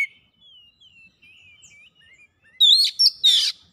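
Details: Oriental magpie-robin lure song: soft, thin whistled slurs drift for over two seconds before three loud, harsh bursts of mixed whistles and rasping mimicry close the phrase.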